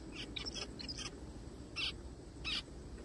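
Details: A forest-found zebra finch crying: a quick run of soft buzzy notes, then two louder nasal beeps about three quarters of a second apart, over low hum.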